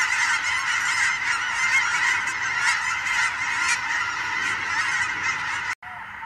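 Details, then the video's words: On a fall evening in Oregon, huge migrating flocks of geese and sandhill cranes fly over, with a dense chorus of overlapping goose honks, a steady nasal clamor of many calls every second and no pause. "Fall evening flyover - huge flocks of migrating geese and sandhill cranes"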